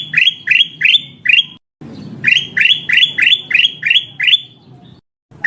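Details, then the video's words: Luring call of a female black-crested bulbul calling a male: a brisk series of loud, bright chirps, about four, then a pause, then eight more in steady rhythm, each note dropping in pitch. "Suara burung kutilang emas pikat"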